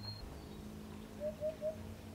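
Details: Eurasian hoopoe in Provence, France, in the spring breeding season: three soft, hollow, low 'hoop-hoop-hoop' hoots in quick, even succession, the far-carrying song given only by males, over a faint low background rumble.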